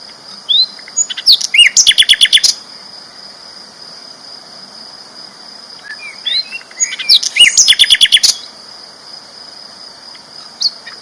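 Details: Champion flycatcher in loud, steady song for training other birds: two bursts of rapid, dense buzzy trills several seconds apart, scattered short chirps between, over a continuous high-pitched hum.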